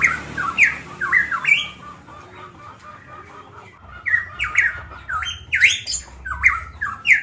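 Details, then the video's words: Golden myna from Manokwari, Papua, singing bursts of loud, clear whistled slurs that rise and fall, separated by a quieter pause of about two seconds, in a small room with a low hum. "CUCAK EMAS PAPUA GACOR VOLUME LANTANG dan jernih"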